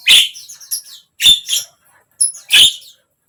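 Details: Song of a Javan myna (jalak kebo), used to prompt a mute bird to start singing: three raspy, squawking phrases, each a loud burst with a softer chattering tail, about a second apart.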